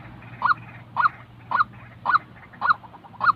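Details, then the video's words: Real white-breasted waterhen call, used for training trapping decoys: six loud, nasal, honk-like notes, each about half a second apart, with soft murmuring in the background. "Bẫy chim quốc-tiếng chim quốc thật"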